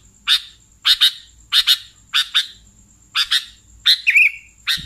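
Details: Calls of a sooty-headed bulbul, meant for luring bulbuls: clipped paired chips repeated about every second, then one longer bubbling, wavering note near the end, with a steady thin high tone beneath.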